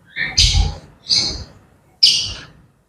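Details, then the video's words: Grey parrots chattering: three harsh, raspy squawks about a second apart, high and noisy, over a low thumping rumble. "Grey Parrots Chattering"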